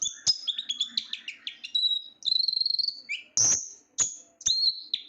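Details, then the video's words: Shrill twittering from a small sunbird, called ninja bird or konin, with blue plumage edged black and gold: fast high notes, a sustained buzzy trill near the middle, then scattered loud squeaky whistles and sharp snapping clicks. "suara burung kolibri gacor"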